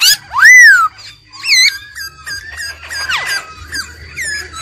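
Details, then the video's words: An old wild-caught laughingthrush sings in full voice while a female trills: a loud arching whistle opens, followed by a string of varied slurred notes and quick chirps. "GIỌNG KHƯỚU già rừng, kích bổi căng lửa, khướu mái ro ro"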